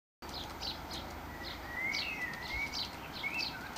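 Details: Starling feeding on mealworms in a garden, giving a run of short high chirps and thin whistled slurs that rise and fall, repeated every half second or so over faint steady background noise.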